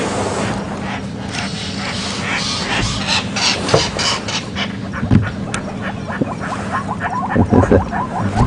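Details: Oxpeckers on animals during a morning safari drive at Djuma Game Reserve on 16 September 2015, as spring approaches, give harsh, hissing calls and short buzzy chatters in irregular bursts, over a low rumble and a nearby voice.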